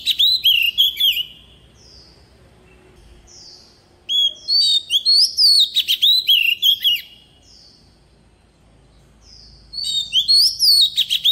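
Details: Oriental magpie-robin decoy bird singing in forest style: a phrase of whistles and chirps, then soft single whistles, a long varied phrase, more soft notes, and a final phrase.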